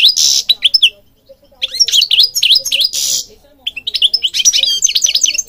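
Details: European goldfinch in full song for training birds, mixing hoarse buzzy notes with rapid tinkling chirps, a short pause after the first second, then a dense run of twittering phrases.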